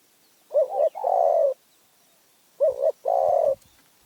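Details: Spotted dove of Phrae, Thailand, with a small, fierce voice: a quavering double coo followed by a long, steady, slightly falling coo, given twice about two seconds apart over a faint background hiss.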